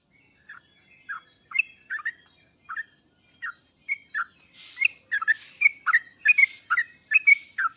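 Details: Sooty-headed bulbul song, used to prompt reluctant birds to answer: scattered single slurred notes build into a fast, dense run of bubbly phrases, with a rushing hiss behind the later part.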